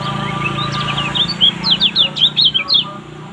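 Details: Lombok kecial kuning (lemon-bellied white-eye) singing a quick run of high, sharp chirps and slurred twittering notes that grows louder and denser toward the end, over a steady low hum.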